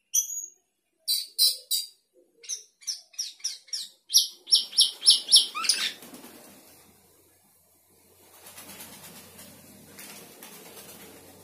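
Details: Sooty-headed bulbul in full song with isian fill-ins, a quick series of short, sharp high chips that come faster and louder, then fade into soft background hiss and rustling.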